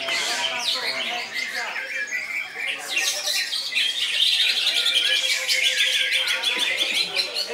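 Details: Cucak ijo song in the koncer style: harsh squawky notes mixed with piercing whistles and fast chattering, growing denser and louder toward the end without a break.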